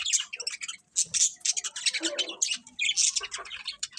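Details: Birds chirping in the morning: a dense, busy flurry of high, short tweets and squeaky notes, overlapping almost without pause, with a few lower harsher squawks in the middle.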